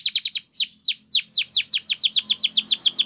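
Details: Belgian canary singing a training song: rapid series of bright, downward-slurred whistled notes, about three to four per second, at first quick and clipped, then longer sweeping slurs, then quick again with a faint low hum behind.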